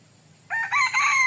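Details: Red junglefowl cock, a decoy bird for wild junglefowl, gives a loud hoarse crow that steps upward from a short opening note into a strained, sustained phrase which is cut off at the end.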